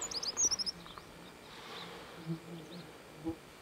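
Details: Japanese accentor singing at Daisetsuzan, Japan: a quick burst of high, thin, jingling notes that fades within a second, followed by faint background hum and distant chirps.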